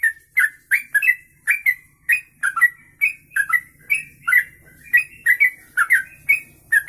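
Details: A long ropelan-style kongslet song from a sooty-headed bulbul, suited to tutoring other birds: a rapid, steady stream of bright chirped and slurred notes, several per second, with no pauses.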